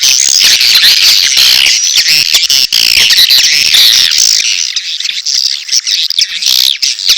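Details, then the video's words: Swiftlet birahi (courtship) calls with chick calls for a swiftlet house. Busy, shrill twittering and clicks that thin toward the end into sparser high buzzy chirps. "SP.BIRAHI+ANAKAN+RBW 1 ( LINK LANGSUNG DOWNLOAD MP3 SUARA WALET DI DESKRISI)"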